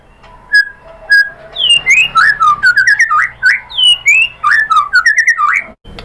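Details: White-rumped shama song used as a lure for other birds: two soft lead-in notes, then a lively run of slurred, looping whistles rising and falling.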